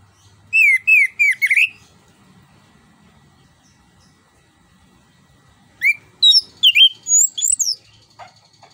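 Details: Fluent, rolling orange-headed thrush song used as a lure for silent birds: a quick string of warbled whistles, a silent spell of several seconds, then a longer, livelier phrase of rising and twisting notes.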